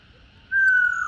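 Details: Female black-throated laughingthrush giving the 'ro' call, meant to rouse caged males: a lone whistle that begins suddenly and falls gently in pitch.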